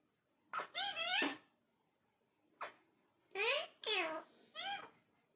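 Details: A talking parrot: clusters of short, harmonic, speech-like syllables with rising and falling inflections, a burst of three near the start and three more after a pause, heard indoors in a quiet room.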